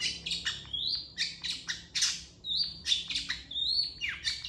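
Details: Long-tailed shrike master song for tutoring other birds: loud scratchy bursts interleaved with drawn-out level whistles, pattern repeating roughly every second, very little background noise.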